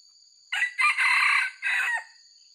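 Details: Four-part crow from a red junglefowl with white legs, a lure sound for trappers: a short rough start, a longer buzzy stretch, a pause, then a dropping end note, while insects hum continuously.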